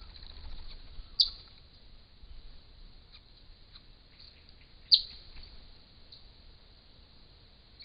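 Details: A wild dusky woodswallow, caught by a camera trap visiting a pond to drink in regional Victoria, Australia, during the warmer months, gives two short, sharp chirps about four seconds apart over a steady high-pitched insect drone.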